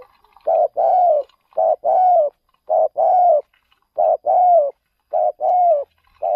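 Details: Spotted dove used as a decoy on a bird-luring trip to another province, giving rapid low cooing phrases: a short double note then a longer drawn coo, repeated steadily about once a second, with quiet surroundings.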